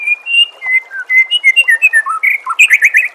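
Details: Loud White-rumped shama song used as a masteran for training caged shamas, with nature sounds and gently trickling water. Varied clear whistles change pitch phrase by phrase and end in a quick series of rich, buzzy notes.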